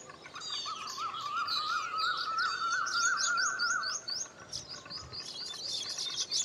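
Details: Baya weavers at a colony of nests chatter in a busy chorus of high, rapid chirps and wheezy trills, with a steady wavering whistle underneath for several seconds.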